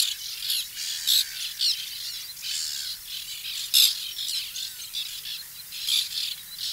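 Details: Colony of white-winged terns during nesting in 2021. Repeated grating, scratchy squawks come at irregular intervals, several birds overlapping, with sharper loud calls standing out over a constant high-pitched background of distant colony calling.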